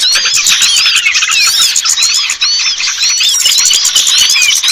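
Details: Lure recording meant to draw down small birds reluctant to descend: a dense, continuous chorus of high squeaky chirps and short rising and falling whistles. The chirps overlap steadily with no pauses.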